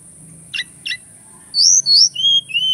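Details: A Javan whistling thrush from Mount Merapi gives two short harsh chips, then a run of loud, clear whistled notes dropping from high to slightly lower, over a steady faint hiss.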